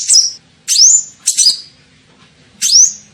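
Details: Sunbird known as kolibri ninja, recorded as a bird-attracting lure: four short, separated notes, each a sharp buzzy onset sliding into a rising, then level, high whistle, spaced roughly half a second to a second apart.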